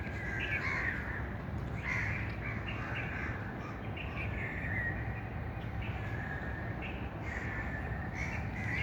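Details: Several birds calling across nine seconds: repeated rough, mid-pitched calls in loose bursts, some overlapping, with a constant low rumbling noise underneath.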